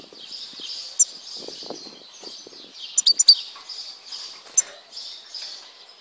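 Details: European goldfinch of Tizi Ouzou, Algeria, with a steady high liquid twitter interspersed with a few bright clicking notes, a small cluster near the middle, and faint lower sounds in the background.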